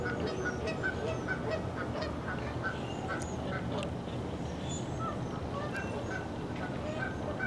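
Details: A gaggle of easily four dozen Canada geese, flying in and congregating on Little and Big Fishweir Creek at 7:16am on 23 November 2015, gives a dense, continuous chorus of overlapping nasal honks over running water.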